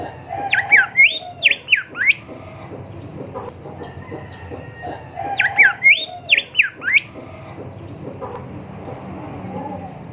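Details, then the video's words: Golden whistler (kancilan emas, bimoli) song used for training caged songbirds. Two loud phrases about five seconds apart, each a quick run of five or six clear whistles swinging up and down, over lower background calls. "Merdunya Kicau Golden Whistler gacor"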